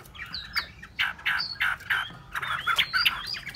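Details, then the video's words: Hwamei song in short bursts of varied chirps and slurred whistled notes, with brief pauses between phrases and a faint background hiss. "họa mi"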